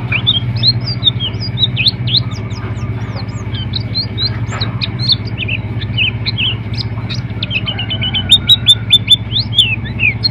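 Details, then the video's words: Oriental white-eye contest bird from Pacitan, singing a long run of fast, thin, high chirps and twittering notes, with a steady low hum beneath and a tonal background note. "Burung Prestasi Pleci Dakun Pacitan"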